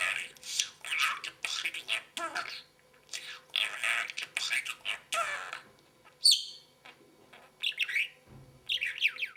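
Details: Talking parrot: a run of speech-like syllables in short phrases, followed by several sharp whistled squeaks with falling tails, separated by brief pauses.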